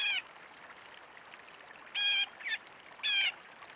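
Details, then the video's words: A blue jay in a backyard gives three harsh, nasal squawks about a second apart, with a brief softer note between the last two, over a steady background hiss. "squawky blue jay"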